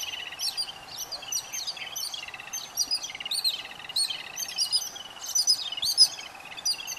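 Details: Yellow-billed babblers with their chicks at feeding time, giving continuous squeaky, rasping chatter, quick high chirps and wheezy notes piling up from several birds, bursts coming more than once a second.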